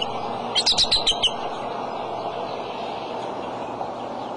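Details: A single short run of about six quick, high, thin chirps from a father bald eagle at the nest holding eggs, March 23 around 2:26 pm, then only steady low background noise.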